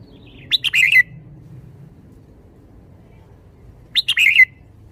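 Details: Red-whiskered bulbul delivering its 'khayao khuat' (bottle-shaking) song style, with two bright phrases about three and a half seconds apart, each a rush of sharp upslurred notes melting into a rolling whistle, against faint low background noise.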